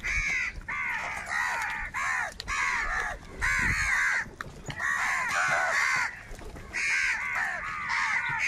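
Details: A large gathering of crows fighting for food keeps up a near-continuous chorus of hoarse, croaking caws in rapid overlapping bursts, with only brief lulls.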